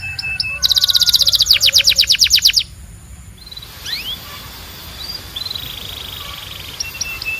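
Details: Belgian canary song opens with a loud, rapid buzzy trill of evenly repeated notes for two seconds, then softer scattered chirps and a thin drawn-out note over faint background hiss.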